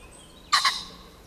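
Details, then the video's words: An agitated common pheasant crowing in bushes on 29 June 2020: one loud, harsh double burst, abrupt and brief, over quiet background. "Zaniepokojony bażant pieje w krzakach"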